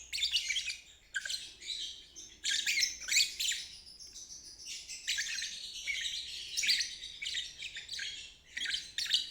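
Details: A lovebird's long ngeriwik trill, recorded as a teaching aid for young birds; busy, buzzy, high chatter running in long phrases broken by short pauses.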